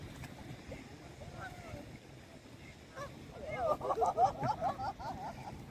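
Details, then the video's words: White swans calling on a Canadian lake crowded with birds one evening while a child feeds them; a few faint honks, then a loud run of rapid nasal trumpeting notes over the final two seconds amid low background noise. "White swans making trumpeting sound"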